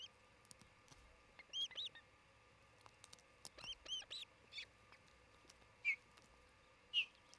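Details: Sparse high, clipped whistles from an osprey couple nesting beside a field in Charlo, Montana, camera recording late morning on 27 June 2018, with two short pairs of notes followed by single chirps and long quiet gaps.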